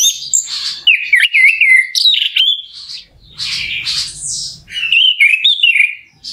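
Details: Song of an orange-headed thrush, played as a lure to stir a bird to sing: a rich mix of slurred whistles, wavering notes and harsh buzzy phrases delivered in quick, irregular bursts.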